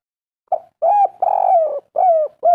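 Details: Spotted dove of the local wild type, singing in the kuk3 style: a short soft coo, then long mellow slurred coos with a slight downward slide, five notes in about two seconds, clean and without background noise.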